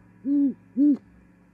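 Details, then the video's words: Great horned owls at an osprey nest in Charlo, Montana, on 18 January 2021, as a female arrives and the pair mates. Two deep, soft hoots, each about a quarter second, half a second apart, over a steady low hum. "Arrival Great Horned Owl Female-Singing & Mating"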